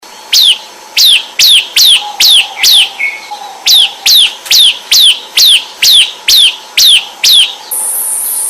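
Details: Bar-winged prinia in 'semi ombyakan' style, used to prompt other birds to sing: a steady series of sharp, high, downward-sweeping chirps, about two per second, ending in a sustained thin high whine.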